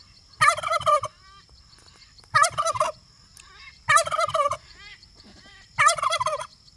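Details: Domestic turkey, free-range and pastured, foraging on an off-grid homestead, gobbles four times, each a loud rattling, bubbling burst of about half a second, repeated roughly every 1.7 seconds, with faint chirps from other birds between bursts.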